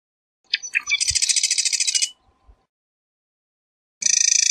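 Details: A marsh wren sings two songs: sharp introductory notes, then a harsh, fast rattling trill of over a second. A second even, buzzy trill starts near the end, with faint low knocks between.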